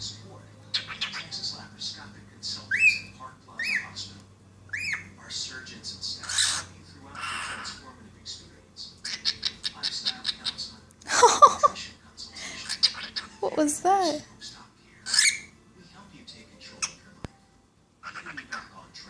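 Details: Cockatiel laughing: a varied mix of whistles, squawks and speech-like mimicked sounds.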